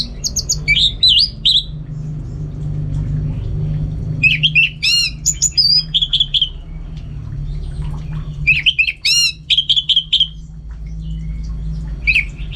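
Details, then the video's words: Orange-headed thrush, a captive bird in North Bali, singing energetically in repeated bursts of rapid high chips and rich whistled phrases, with short silences between them over a faint low hum. "Super Kicauan ANIS MERAH Gacor"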